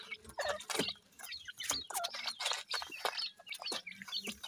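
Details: Grey francolin chicks, seven days old, feeding under a hen's care, utter quick high downslurred cheeps among rustling and scratching noises.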